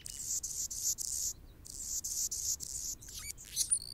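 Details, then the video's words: A male Anna's hummingbird guards its territory near a nest where a female feeds a baby, giving a string of high scratchy buzzes with short pauses, ending in sharp squeaky sweeps and thin whistled slides. "Anna's hummingbird"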